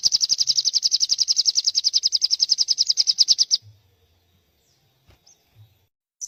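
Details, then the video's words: White-rumped shama, a young bird, delivers a steady rapid high trill of evenly repeated notes for over three seconds, then falls silent apart from soft clicks. "si kecil handal !! sogon full isian gacor"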